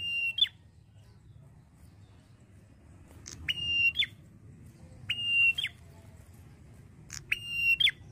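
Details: A male red-headed prinia (prenjak kepala merah) sings a high, level whistled note that ends in a sharp downward flick, repeating about every two seconds over a faint low hum.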